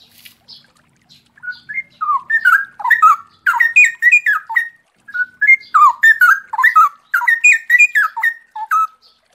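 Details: A straw-headed bulbul pours out loud, rich, bubbling phrases of rapid, slurred notes that rise and fall, in two long rolling bursts with brief pauses, with the sound of flowing water.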